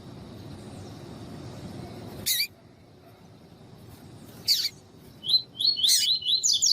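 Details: Double-collared seedeater (coleiro tui tui) female call used to train and excite males: two sharp, high, descending chips, then quick clusters of bright warbled notes, with a low rumbling murmur in the first two seconds.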